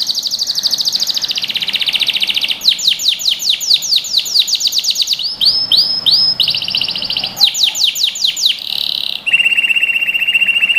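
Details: Canary, common yellow colour, singing a song for training young birds: trills, bursts of quick descending chirps, rising slurred whistles, and a low buzzy trill held to the end.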